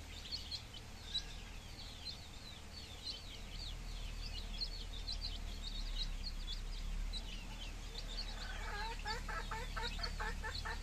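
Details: Village chicks fifteen days old keep up a dense chorus of high, slurred peeps; near the end a run of lower, buzzy, harmonic-rich calls repeats rapidly over the chirping, above a constant low hum.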